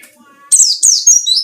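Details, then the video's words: White-eye lure song to provoke rivals: a loud rush of high, descending chirps ending in a thin sustained whistle, after faint softer notes. "burung pleci ngalas cari lawan//ampuh buat pancingan"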